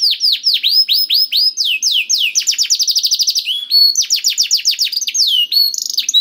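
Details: Nonstop canary song meant to trigger a silent bird to answer: bright, rapid sequences of falling whistled notes, quick stuttering trills and changing phrase types, dense and uninterrupted throughout.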